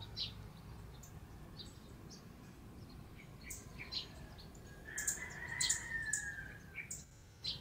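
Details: Lowland white-eye, a near Philippine endemic, filmed in natural habitat at Bued River, Northern Philippines, in December; scattered thin high chirps come at uneven intervals, with a longer steady whistled tone midway and constant low background rumble.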